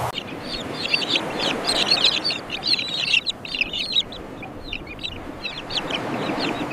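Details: Crowded common tern breeding colony, countless birds uttering rapid, scratchy, high-pitched calls that tumble over one another in a constant clamour, with faint wind noise.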